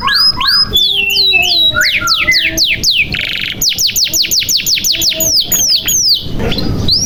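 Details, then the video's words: Continuous canary song meant to coax silent or young canaries into singing: varied swooping whistles, a brief buzzy burst, then a long, even trill of sharply descending notes, with a soft rustling noise near the end. "SUARA KENARI GACOR • Pancingan Kenari Macet Bunyi Supaya Gacor • Membuat Kenari Paud Cepat Bunyi"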